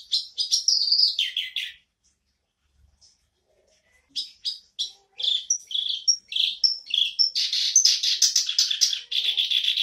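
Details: Black-browed reed warbler back in voice: a short harsh phrase, two seconds of near silence, then steadily intensifying scratchy chatter mixed with high whistles, ending in a dense, continuous churring stream.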